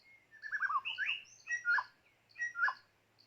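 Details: White-rumped shama decoy bird from a trapping outing, singing a varied phrase: a descending warbled run of slurred whistles, a sharp upsweep, then two loud, rich downward-sliding notes about a second apart, with faint high ticks above.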